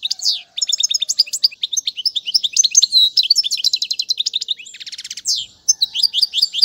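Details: Goldfinch song for tutoring fledglings: continuous fast twittering with sweeping chirps, a dense buzzy trill near five seconds, then more sharp descending notes; a faint low whistle in the background early on.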